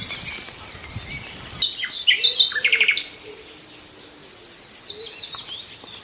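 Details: Nightingale phrases come in bursts: an opening high rapid trill, a loud cluster of chirped and repeated notes, then quieter scattered whistles fading into calm.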